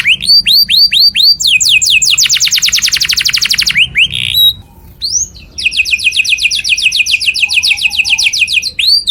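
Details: Song of a canary, played loud so other birds can copy it. Clear slurred whistles lead into long rapid rattling rolls. After a short pause a second extended roll comes, and each roll is closed by swooping notes.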